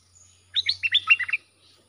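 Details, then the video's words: Caged bulbul song used to train young birds, with song styles called sap dok, boen and rik: a quick burst of about eight bright, slurred chirping notes, rising and falling, lasting under a second, over a faint low hum. "เสียงนกดอกแตงEp.122สำหรับหัดลูกป้อน/ลูกเสอ มีครบในครบในคลิปเดียว สับดอก-เบิ้ล-ริก เพลงเพราะน่าฟัง"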